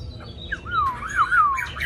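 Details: Newly arrived caged Hwamei with a wild-type voice: a loud, wavering whistled phrase that loops up and down several times, ending in a rising note, over faint low hum.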